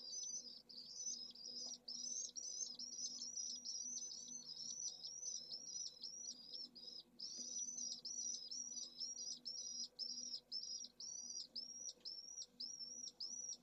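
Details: In a city-centre nest in Jerez de la Frontera, the only Pallid Swift chick endures a heatwave noon of over 44ºC on 25 August; shrill wavering notes repeat in long bursts with brief gaps, steady low hum beneath.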